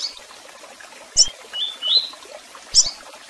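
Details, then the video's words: Double-collared seedeater in tui-tui song with chirps and calls: two sharp high chips bracketing a pair of clear rising whistled slurs. "Canto de Coleiro Tui Tui Com Piado e Chamados!!!"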